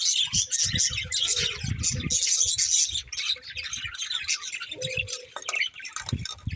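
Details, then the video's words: High budgie chatter and quick tweets over a run of rhythmic low thumping in the first half, then a short steady whistled tone and a sharp rising squeak near the end. "Cute Budgies Chirping Sounds"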